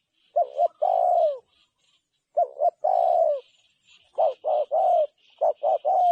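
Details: Spotted dove cooing: soft, low, mellow phrases, each of two or three short coos followed by a longer drawn-out note that falls at the end. The phrase repeats three times over six seconds, with faint higher chirping behind it.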